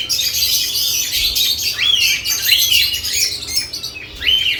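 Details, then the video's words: Lovebirds around nest boxes chatter in high, scratchy chirps, punctuated by several distinct arching squeaky calls repeated about once a second. "Lovebirds add nest boxes activity & chirping sounds"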